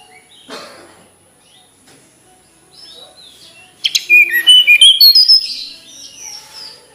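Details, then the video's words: Melodious flycatcher song: after quiet moments with faint rustles, a sudden burst of very high, tinkling, rapidly repeated notes with quick slurs, fading into softer chatter, against a faint constant high tone. "Kicau Merdu TLedekan Gunung"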